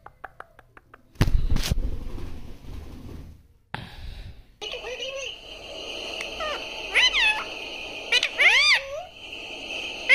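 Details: A talking pet parrot, taught to say mummy and papa, is heard indoors with a person's voice first, then bright warbling, squeaky whistled phrases and chatter over steady background hum.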